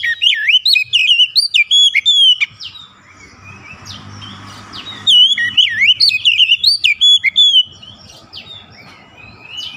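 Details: Oriental magpie-robin song played as a lure for other magpie-robins: dense, fast strings of varied whistles, chirps and warbles in two long bursts, with a low hum and hiss between phrases.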